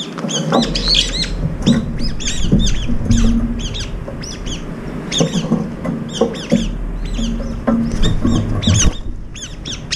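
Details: Brown-eared bulbuls crowding in for morning food, up to five eating together, fighting and pecking to feed alone; harsh, shrill squeals come in rapid bursts, several per second, with pauses, over low background rumble.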